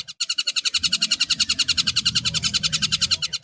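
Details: Stork-billed kingfisher (Pelargopsis capensis) giving a harsh, rapid chattering call of about seven notes a second, steady throughout, over a low background rumble.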